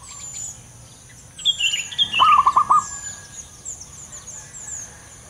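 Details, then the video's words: Male local zebra dove, singing actively with a loud voice: one short burst of about five quick, staccato cooing pulses, with thin high chirps from other birds just before and a faint background hiss. "burung perkutut lokal jantan gacor suara besar"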